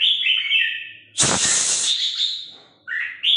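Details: Red-whiskered Bulbul decoy bird kept for hunting, singing in the 'ché' style: clear warbled whistles, a sudden loud harsh rasping burst, then more short whistled notes.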